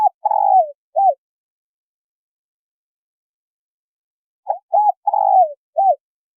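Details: Spotted dove female calling to stimulate a male. Two low cooing phrases, each with short hoots around a long falling croo, separated by about three seconds of silence.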